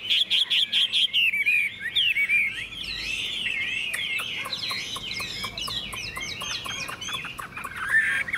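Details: Caged tame Chinese hwamei, singing about half an hour after a fresh-food breakfast in the sun, pours out a fast, rich medley of whistled trills and twisting notes, loud repeated phrases opening the run.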